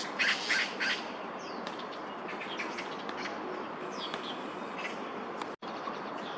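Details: A group of at least four juvenile Eurasian magpies playing and foraging on grass by a small pond in Daan Forest Park, 10 May 2022, chasing arriving parents; harsh, rasping squawks, then scattered scratchy notes, with other birds' thin whistles over outdoor hiss.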